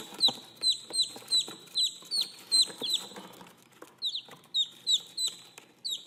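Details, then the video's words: Young chickens calling for their mother with shrill falling peeps, a steady string of separate notes roughly every half second over a soft rumbling background with light clicks. "TIẾNG GÀ CON KÊU, GÀ CON GỌI MẸ"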